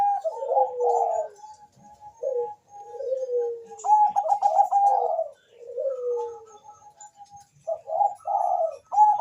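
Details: Melodious Bangkok zebra dove, played to trigger breeding urge and song in other birds: rolling, pulsed coos ending in slurred descending notes, repeated several times, with a thin level tone between phrases.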